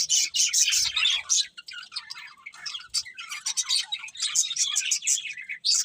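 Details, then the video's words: Happy budgerigars chirping as they eat: dense high twittering and short squawky notes in bursts, thinning to scattered chirps midway before the chatter builds again. "Happy Budgies Singing and Eating | Love Birds Chirping Sounds"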